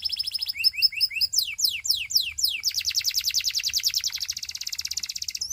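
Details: Repeated paired upslurred whistles from a Belgian canary, then sweeping falling notes accelerating into a long, even, rapid trill that fills the rest of the song.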